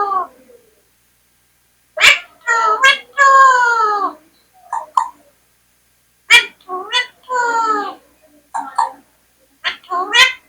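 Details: Talking Indian parrot: clusters of sharp clicks and nasal, harmonic word-like phrases with sliding pitch, repeated in similar groups every few seconds with short silences between.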